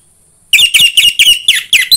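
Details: Orange-headed thrush singing, used as a prompt for a captive bird: a rapid string of seven or eight bright, clear whistled notes, evenly spaced about a quarter second apart, some with a downward slur.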